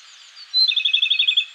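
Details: Japanese robin (Larvivora akahige) singing vigorously in an early-morning mountain forest of the Koshin region, Japan, in May: one clear high opening note, then a fast, even rattling trill of about a dozen notes, over faint hiss.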